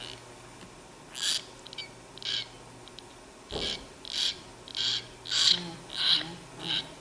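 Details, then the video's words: Tame young common hill myna begging for bread, calling more softly: a run of short, rasping, hissy screeches, about seven in all, after a quieter start with one low thump in the middle. "Anak Beo Ngambek Mau Makan Roti"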